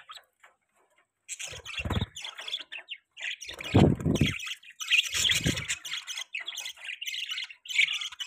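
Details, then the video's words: Pet budgies chirping: after a second of quiet, bursts of quick, squeaky chirps and harsh chattering notes follow almost without pause, with a few deeper rasping sounds mixed in. "Budgies chirping sound|Budgie bird sounds"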